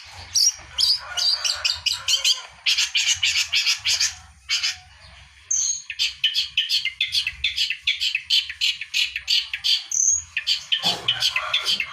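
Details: Vigorous song of a Long-tailed shrike, played to get birds that have gone quiet singing again; dense, fast scratchy chatter broken by a few clear high whistled notes and short pauses.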